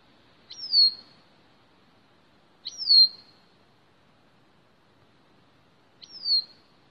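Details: A Bicknell's thrush (Catharus bicknelli) on its breeding territory gives three thin, high notes, each jumping up and then slurring down, spaced two to three seconds apart against a quiet background.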